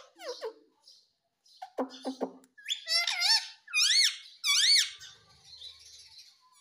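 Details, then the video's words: Talking rose-ringed parakeet mimicking "mummy papa": quick descending ticks and clicks, then three or four loud, arched, harmonic syllables in a row before fading into faint hiss. "Mummy Papa Bolne Wala Tota || Talking Parrot || Sweet Ringneck Parrot Talking"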